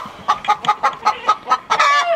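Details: A farm hen cackles after laying an egg somewhere out of sight, a run of about eight sharp, evenly spaced clucks every quarter second, ending in a longer drawn-out squawk.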